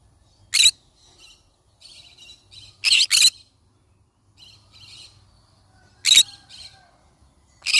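A yellow-sided conure gives harsh, grating screeches every few seconds, one a quick double, with softer scratchy chatter in between.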